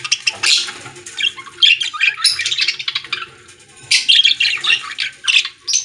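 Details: Pet-store budgerigars: overlapping chirps, squeaks and raspy warbles from several birds, steady busy chatter throughout.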